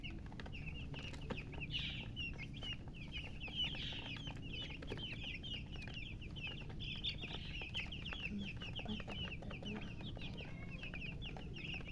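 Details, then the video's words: A group of newborn chicks chirping steadily: long unbroken stream of thin, high peeps repeated several times a second, fairly even in loudness, over a constant low hum. "Tot Murgi chicks chirping sounds Just Born Baby Gallina FRACAS Chicks Piar Loudly Sound"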